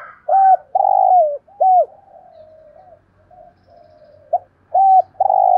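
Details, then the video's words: Hollow spotted dove coos from a decoy bird in 'giọng thổ' voice, used to make wild doves call: short, long and arched coos, a stretch of quiet low murmuring, then renewed coos. "cu gay giong tho cuc dinh"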